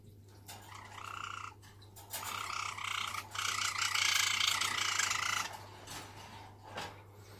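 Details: Pet white Java sparrow kept indoors, giving a bubbling, harmonic chattering phrase of rapid notes that swells louder midway and runs for about three seconds, with softer clicks and short chirps before and after over a low room hum.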